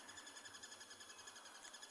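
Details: A crested barbet calling not far away during a sunrise drive at Tswalu Kalahari Reserve, South Africa, 27 July 2020, gives a faint, monotone trill of rapid, evenly spaced pulses, about ten a second, over steady background hiss.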